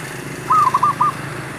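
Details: Male zebra dove used as a trapping lure for wild birds. A single brief coo of four quick rippling notes over noisy, rumbling background.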